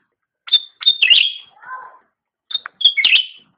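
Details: Cucak rante song used as a master recording for training pet songbirds: short bright chirped phrases with high whistled notes and a lower warbling segment, in two bursts separated by a pause.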